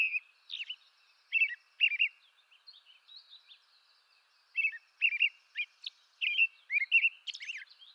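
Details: American robin (Turdus migratorius) in eastern North America: paired caroling phrases, a lull of faint twitters, then a busier burst of whistled and squeaky notes; no other sounds.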